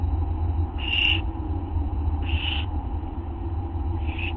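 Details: Owls at night, 11:04 PM, August 24, 2011: two clear breathy hisses about 1.5 seconds apart and a fainter third, set against a strong low steady hum.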